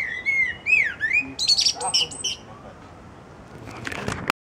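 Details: A thrush perched on a branch sings a quick run of varied phrases: swooping whistled notes, then brighter squeaky chirps, over a soft background hiss.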